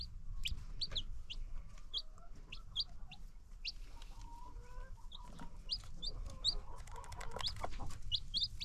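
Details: Free-range chickens and new baby chicks: clear, high, thin peeps, often doubled, repeat through the recording over low rumbling background noise and a few faint tones.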